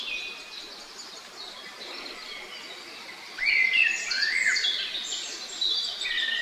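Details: Great spotted woodpeckers, a pair of parents tending their young, with high chirping calls around three seconds in, sharp downslurred notes overlapping in a busy run, over soft background noise.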